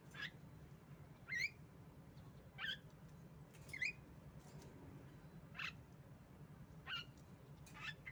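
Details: Lure recording of a female Javan myna to get birds singing: brief harsh squawks and rising whistled notes repeated roughly every one to one and a half seconds, with a constant low background hum.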